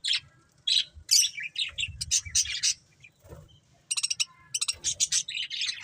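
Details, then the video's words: Budgerigars giving separate short chirps and scratchy warbled phrases, spaced with quiet gaps, then a rapid run of clipped repeated notes near the four-second mark, with faint low background noise. "Beautiful Budgies Chirping Sounds"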